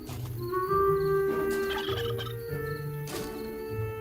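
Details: A young wild turkey that has lost its flock gobbles in low, rapid rattling bursts, repeated a few times but unanswered, near a bat cave with bats squeaking, under sustained orchestral music; its call carries about a mile.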